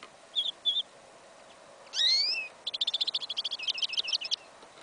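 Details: Goldfinch × canary hybrid, yellow isabella, singing outdoors in a field in winter, January 2015: two short high chirps, a sweeping slurred whistle, then a fast stuttering trill of repeated high notes; faint background hiss.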